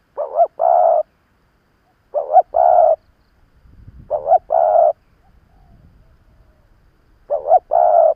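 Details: Old decoy spotted dove luring rivals with four paired coo phrases, a short doubled note then a long mellow coo, spaced about two seconds apart, with a soft low background rumble.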